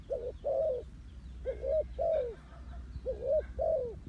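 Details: Spotted dove calling, its voice used as a lure for trapping; low, mellow coos in paired phrases, the second of each pair longer and falling slightly, repeated about every one and a half seconds over a faint low rumble.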